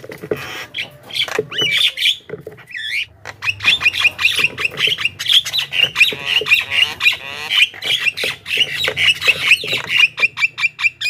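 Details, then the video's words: Javan myna recording used to lure wild flocks: loud, dense chattering of rasping squawks and clicks, fast and nearly continuous, with some whistled notes early on and a faint low hum. "suara burung pikat jalak kebo gacor"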